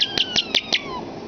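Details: Common starling kept as a talking pet, mimicking human speech: four or five sharp clicks in quick succession with thin sustained whistles running beneath, ending in a short downward-sliding whistle.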